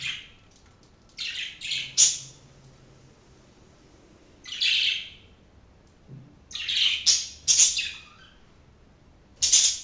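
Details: A small flock of four pet budgerigars indoors calling in short scratchy chirps and squawks, scattered irregularly with pauses of a second or two between bursts.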